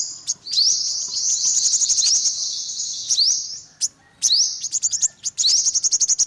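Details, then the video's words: Olive-backed sunbird uttering extended, fast, high-pitched trills introduced by rising notes, separated by a couple of short silences. "tiếng chim hút mật 5 màu bụng vàng"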